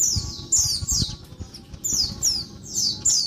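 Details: High, scratchy downslurred squeaks from a female Oriental white-eye, a noisy daytime call used to stimulate males, delivered in paired bursts about every half second over faint low hum.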